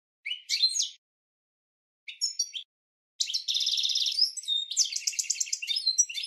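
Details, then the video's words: Goldfinch song played to train cage birds: two brief chirpy phrases separated by silence, then a long rolling buzzy trill that breaks into rapid tinkling, repeated twitters. "Goldfinch 12h Training Song"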